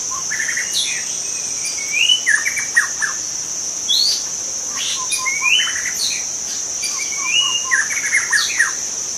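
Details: White-rumped shama from the forest, its natural song used to draw in other shamas: rich varied phrases of sweet rising whistles, rapid chattered notes and sharp high slurs, with a constant shrill insect drone behind.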